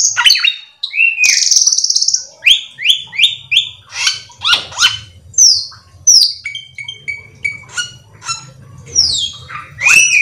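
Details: Cucak keling (Black-winged Myna) delivering a varied lure song to set other cucak keling singing: squawks, a high buzzy whistle, then many short repeated whistled notes and chirps, with a faint low hum behind.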